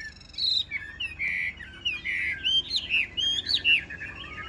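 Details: Chinese hwamei kept in a cage, filmed in the rain, pouring out sweet, drawn-out whistles that swell and bend, then a quickening stream of bright, twisting notes.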